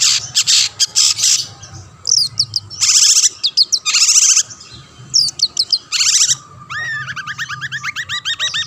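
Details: Long-tailed shrike singing to goad rival shrikes: raspy screeching bursts alternating with rapid warbled whistle runs, closing in a fast rolling series of looping whistled notes.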